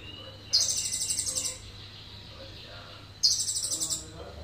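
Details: Energetic Indonesian sunbird song with cililin fill, two shrill, buzzy, rapidly pulsed trills about a second each, nearly three seconds apart, low hum in the background.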